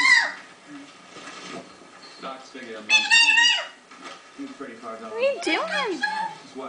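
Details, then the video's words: Female Eclectus parrot chattering to herself indoors: a speech-like murmur of mimicked words, broken by sharp rising and falling whistled squeaks toward the end, with a small room echo. "Eclectus chattering to herself"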